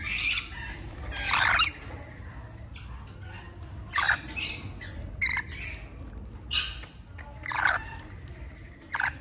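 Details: Rainbow lorikeet, an Australian parrot: harsh, screechy squawks in separate bursts about every second or two, with a low steady hum underneath.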